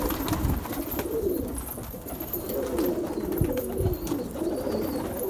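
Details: Domestic pigeons kept as a hobby at home, recorded 4 March 2024 in what sounds like a small room; low soft cooing phrases repeat through the clip over a steady background hum.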